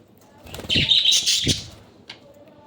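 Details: Budgerigars eating green water spinach (kalmi shak) at Katlapur, Savar, Dhaka, Bangladesh; a short, bright burst of chirping chatter lasting under a second, followed by a lone chirp, with low thumps and rustling from the birds moving.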